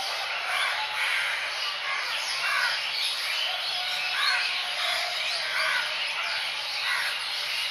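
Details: Wild Javan pied starling (Gracupica jalla) singing a busy, continuous jumble of harsh chattering and squeaky whistled notes, with a steady high insect buzz behind.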